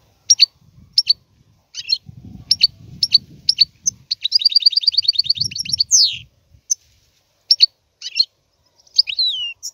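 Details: European goldfinch singing: bright, high twittering notes in short spaced bursts, then a fast buzzy trill of rapid repeated notes and a rising sweep, with a low rumbling background noise underneath.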